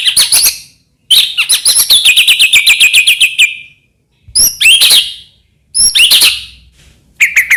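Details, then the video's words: Singing murai batu, or white-rumped shama, used as a lure to make other shamas sing: high chirps, then a fast descending trill lasting two seconds, followed by separate sharp whistled notes after gaps. "murai batu gacor AMPUH buat PANCINGAN murai batu agar bunyi"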